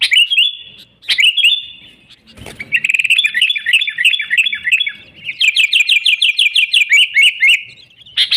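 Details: Lively sooty-headed bulbul song meant to lure wild bulbuls into traps: bubbly warbled phrases, then a fast run of rapidly repeated whistled notes sliding downward, with a brief thump midway.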